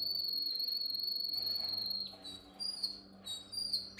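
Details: Canary singing a training song: a long, level, piercing high whistle held for two seconds, then a pause and scattered sharp chirps and short whistled notes.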